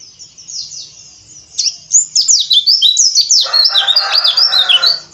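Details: Oriental white-eye sound used to coax rough 'ngeriwik' chattering: quiet sparse chips give way to an energetic stream of high, sharp, downslurred twitters, joined midway by a coarse, grating layer underneath.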